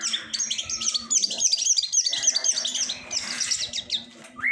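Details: Long-tailed shrike delivering a rapid, busy chatter of high, sharp, twittering notes in quick succession, varied and tumbling, with a brief rising whistle at the end and quiet background otherwise.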